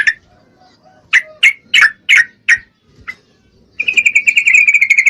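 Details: Female Yellow-vented Bulbul in breeding condition calling to a male: five or six sharp, separate chip notes in quick succession, then a sustained rapid buzzy trill that fills the rest of the recording.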